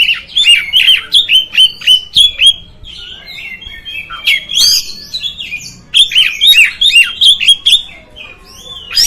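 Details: Kacer, the oriental magpie-robin, in song used to provoke rival magpie-robins: quick repeated whistled notes, each dipping then rising, delivered in rapid bursts of several per second, with a calmer warbled interlude in the middle.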